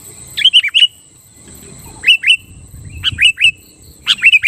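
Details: Singing sooty-headed bulbul, a song used to provoke rivals and draw wild or kept bulbuls to reply: lively bursts of three to four bubbly, swooping whistled notes, repeated in quick succession.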